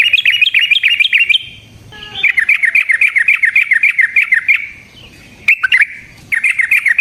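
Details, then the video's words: Lure song of a sooty-headed bulbul meant to set other bulbuls singing: fast rattling trills of bubbly whistled notes, about three or four per second, broken by short pauses and sharp chirps. "Suara Burung TRUCUKAN gacor ROPEL VARIASI NROTOK NGECUPLIK pancingan trucukan agar JADI trucuk GACOR"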